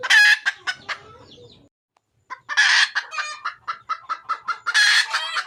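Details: A red junglefowl hen calling for a male: a loud squawk and a few clucks, a brief silence, then a harsh burst, a rapid string of clucks and another loud squawk.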